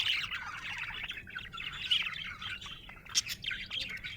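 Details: Happy budgerigar chirping: a continuous busy warble of rapid twittering notes and short chirps, with a few sharper high clicks, no other sounds clear.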